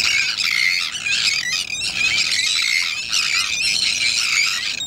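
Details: Many Sandwich terns call at once at a breeding colony at the Salins d'Hyères, France, late in the breeding season with chicks about to fledge: harsh, grating, rasping calls overlapping in a steady, unbroken colony din with no pauses.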